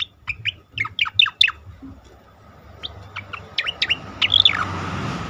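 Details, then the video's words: Asian pied starling singing, recorded to train competition birds: quick clipped whistles and downslurred notes in a run, a pause with background hiss, then more sharp notes and a rising-falling squeal. "khas cica koreng suara shahduh sangat bagus untuk masteran burung lomba"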